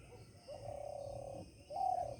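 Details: Morning call of a wild pigeon (ban kabutar) that has built its nest inside a village home in Bihar, India: one long, even, low hooting note, a short pause, then a slightly higher, shorter coo.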